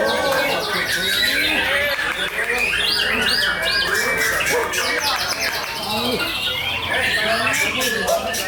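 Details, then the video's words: Champion white-rumped shama singing a rich, varied song of quick whistled sweeps and chattering phrases, overlapping with other bird calls and people's voices. "Muray batu juara"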